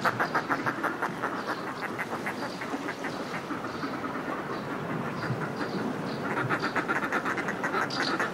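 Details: Northern fulmars displaying in groups on cliff ledges, recorded up close: bursts of rapid guttural cackling at the start and the end, with thin house martin chirps and sea wash throughout.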